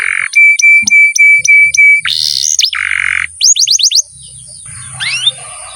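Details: Canary song, long masteran recording used to prompt young or quiet birds to sing: repeated pure whistles, a buzzy roll, a low trill, a quick series of rising slurred notes, then softer sweeps.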